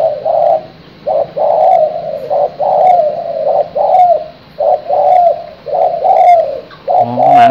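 A young Spotted Dove gives soft, mellow coos in short phrases about once a second. The voice is thin and small, and a person speaks briefly at the end.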